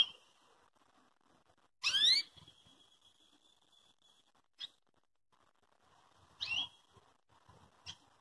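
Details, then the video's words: Belgian canary calling to provoke and train another canary to sing: a bright sweeping note near 1.8 s drawing into a long steady whistle, then short chips around 4.6, 6.5 and 8 s over quiet background. "CANÁRIO BELGA CHAMANDO PARA PROVOCAR O CANTO DO SEU CANÁRIO"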